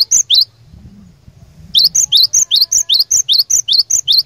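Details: Lure cinereous tit singing to challenge opponents and set other tits singing: a short opening pair of notes, a pause, then a long steady run of about twelve paired notes, a high level whistle alternating with a lower swooped note.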